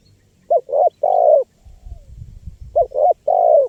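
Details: Spotted dove in full voice, meant as a lure for wild birds: two soft three-part coos, a short note, a doubled note, then a long falling hoot, with low rumbling noise between phrases.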